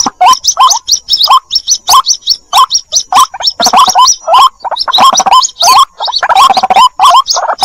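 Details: White-breasted waterhen chick calling its mother, from a lure recording: loud, rapid, hoarse hooked notes repeated unevenly, about ninety-five a minute, each with a sharp upper overtone, crowded together with no gaps.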